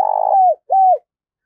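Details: Spotted dove urging and calling to lure other doves, two strong, even coos with a downward slurred ending, the first longer and slightly pulsing, the second shorter after a brief pause.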